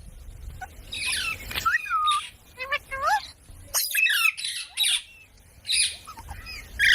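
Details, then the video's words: Parrot, called mitthu, making mixed squawks and wavering whistles in short phrases separated by pauses, over a faint steady background hiss. "Talking parrot video| Parrot sounds videos Compilation | mitthu mitthu | parrot voice"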